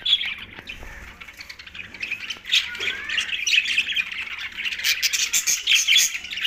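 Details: Green budgerigars chatter and chirp, quieter at first then building into dense, high, scratchy warbling with sharp clicks.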